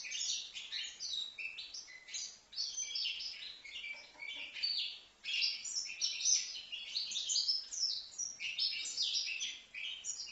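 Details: Young European goldfinch from Livno, five months old, singing a lively, jumbled twitter of sharp chirps, trills and sliding whistles. Phrases come in rapid succession with brief dips between them.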